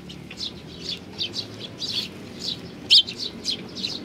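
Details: Sparrows, Eurasian tree sparrows, visiting a bench for food on 3 June 2020; rapid clustered chirps and twitters, one louder sharp note near the end, with little other noise.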